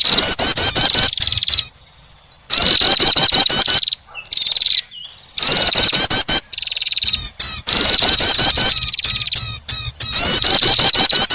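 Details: Prinia trapping lure: long runs of loud, rapid, sharp high chips broken by short gaps and a softer buzzy trill, the chipping returning again and again with great intensity.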